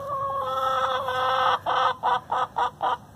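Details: Free-range hen complaining, loud and harmonic: a drawn-out, wavering squawk for about a second and a half, then five short, sharp clucks repeated roughly every third of a second.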